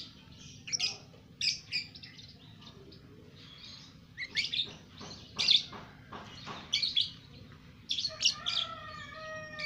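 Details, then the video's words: Two-month-old caged lovebird singing in a long chattering ngekek song: rapid, high, scratchy chirps and buzzy bursts, strung together almost without pause, with a few thin whistled notes near the end. "Love Bird umur 2 Bulan Sudah Ngekek"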